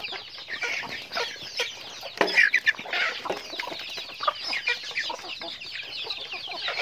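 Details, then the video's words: A flock of chickens in daily activity: constant high-pitched cheeping from many birds, with a sudden louder burst of squawking calls partway through before the steady chatter resumes. "Natural Sounds of Chickens"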